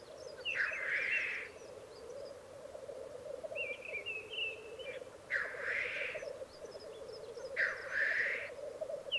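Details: Black grouse lek in the Italian Alps of Piedmont, 2022. A rolling low coo runs the whole time, broken by three loud hissing sneezes and a wavering whistled call between them.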